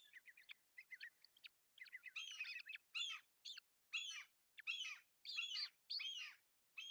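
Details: Osprey nest in Pohjois Satakunta, Finland, June 10, 2024, male bringing a big fish for breakfast. Quick soft chirps give way to a steady series of louder, shrill, squealing calls, roughly one every half second to second.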